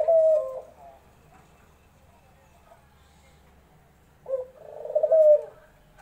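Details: Ghughu dove giving low cooing notes. One phrase is cut short at the start, then after about four seconds of quiet a fuller phrase follows: a quick rising lead-in, then a drawn-out throaty coo.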